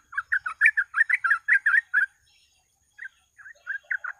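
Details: Sooty-headed bulbul song played as a lure for trapping birds: a fast run of about a dozen bubbling, warbled notes over two seconds, a pause, then several scattered softer notes of the same liquid quality.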